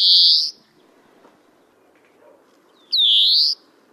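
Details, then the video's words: European greenfinch singing in April 2015 at Kholm, Novgorod oblast, Russia: two long buzzy wheezing notes, each about half a second, with a quiet pause of over two seconds between them. "Обыкновенная зеленушка Chloris chloris, песня / European greenfinch song"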